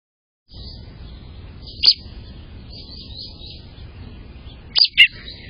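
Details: A newly fledged American robin gives three sharp, high chirps, one alone and then two close together, over a steady high hiss of insects.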